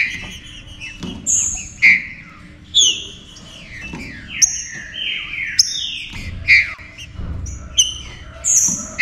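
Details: Green-winged saltator; song; stimulating other saltators to sing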